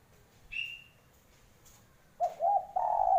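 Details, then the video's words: Spotted dove coos a low, broken double note, then starts a longer sustained coo that is cut off. A thin, high whistled note from another bird comes earlier, followed by a quiet pause. "Ciri Khas Suara Burung Derkuku"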